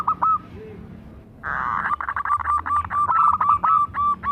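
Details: Local zebra dove, a lively singer used as a lure to prompt other zebra doves to sing: after a faint start and a brief rushing noise, short cooing notes repeat about four times per second, with a rolled note near the end.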